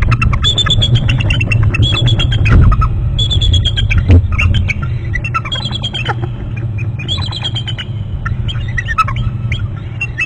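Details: Bald eagles calling on their nest territory on Hornby Island, British Columbia, both birds off the nest; a series of high, thin, descending chittering whistles, steady low rumble of wind or background noise underneath.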